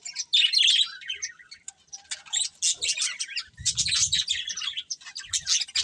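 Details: Colourful budgerigars chirping while they eat: a clear drawn-out warble at first, then a quiet gap, followed by busy clustered chirps and buzzy chatter with soft low rustles.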